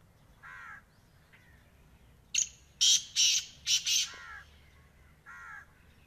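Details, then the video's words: A black francolin gives a grating call series: a soft nasal note, then five loud, rasping, hissy bursts close together, ending with a further nasal harmonic note against quiet background. "Black Francolins Voice"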